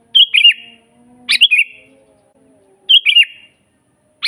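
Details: Sooty-headed bulbul song for teaching other bulbuls: short cheerful gurgling phrases of a few warbled notes, each dropping in pitch, repeated roughly every one and a half seconds in clean quiet surroundings.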